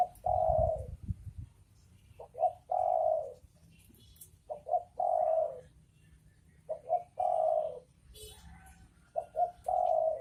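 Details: Spotted dove, male and female, cooing: phrases of two short soft notes followed by a long, drawn-out coo, repeated about every two seconds; faint low rumble early on.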